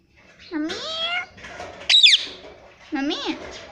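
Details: Talking parrot producing "mummy" twice with a low-to-high bending voice, separated by a brief shrill squeak.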